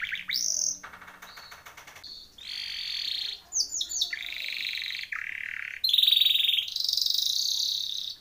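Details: Timbrado canary training song: a varied run of high phrases, with bright whistled notes, a buzzy rattling tour, rolling trills, and a loud sustained trill near the end.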